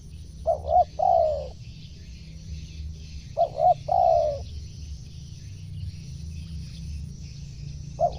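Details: Spotted dove repeating its phrase to lure wild birds: two clipped hoots and a drawn-out, falling coo, heard twice about three seconds apart, with the start of a third at the end, over a steady low hum.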